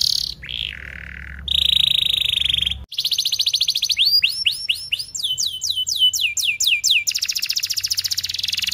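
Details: Canary singing a training song for young or stalled canaries: a short whistle and a falling note, a steady buzzy tone, then rapid rising sweeps and a fast repeated trill running on at high pitch.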